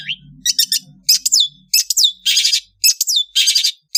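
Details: Afternoon song of an Indonesian long-tailed bird: rapid clusters of sharp, high chirps alternating with harsh, rasping buzzes and downslurred whistles, about twice a second, with a faint low hum beneath.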